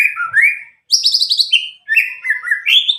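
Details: White-rumped shama from Medan, about nine months old, just past the speckled juvenile stage, kept without song tutoring, singing loud clear whistled phrases with rising slurs and quick buzzy notes, paused briefly mid-song.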